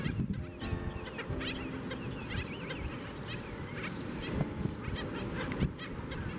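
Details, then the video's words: Skimmers at a breeding colony before daylight: many overlapping nasal, barking and wavering calls from numerous birds, over a constant low rumble of background noise. "Skimmer Colony"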